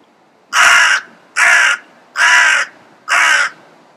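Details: Crow giving four loud, harsh, rasping caws, each about half a second long and evenly spaced under a second apart, close and clear over a quiet background.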